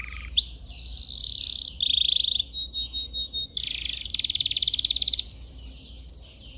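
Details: Yellow canary singing in its cage during training: a rising whistle into a long buzzy roll, a few swelling pulses, then a fast, even, slightly rising trill.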